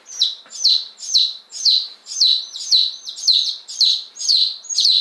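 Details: Fifteen freshly arrived day-old chicks of Appenzeller Spitzhauben and White Crested Blue Polish breeds, May 19 2015, peeping in a clear, regular rhythm: loud, thin, descending notes roughly two per second, with quieter chirps between.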